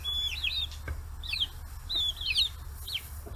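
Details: Forty-day-old free-range chicks in Kitahiroshima, Hiroshima, Japan, crowding around fish heads; a few high, whistled peeps sliding downward, in scattered pairs, over a low steady hum.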